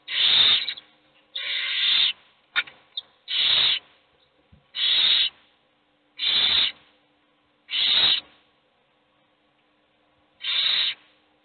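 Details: Hungry owl chicks in a nest box, only one of them being fed, give harsh hissing screeches about half a second long, repeated roughly every one to two seconds, with faint rustling between calls.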